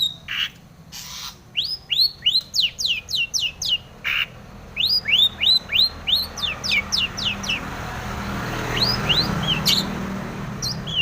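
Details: Long-tailed shrike in lively, mimicry-filled song with tomiceng phrases, used to provoke other shrikes to sing. Quick downslurred whistled notes repeat about three per second in runs, then a softer jumble of high chips toward the end.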